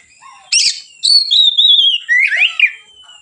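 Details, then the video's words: Relaxed white-rumped shama song serving as a training lure: a harsh burst, then a long clear whistle gliding slowly downward, followed by a rising and falling warbled flourish. "suara Kacer ngeplong santai, pancingan / masteran Kacer"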